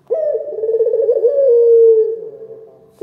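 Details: Single long coo from a local Indonesian turtle dove (puter lokal) with a big voice: low, throaty and trembling at first, then smoothing into a steady drawn-out note that slowly fades.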